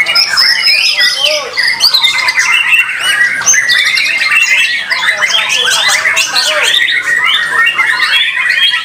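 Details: White-rumped shama in competition, sustained energetic song of sweeping whistles, clipped chirps and scratchy trills, heard among many other birds singing at once.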